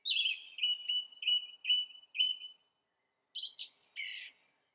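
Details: Song thrush singing a phrase of one note repeated five times in steady succession, then after a pause a short burst of harsher, scratchy chirps; clean, quiet setting.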